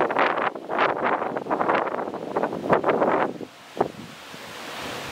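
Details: Gusty wind roars across the microphone in uneven bursts with rustling, then eases into a steady soft hiss; no animal voice stands out.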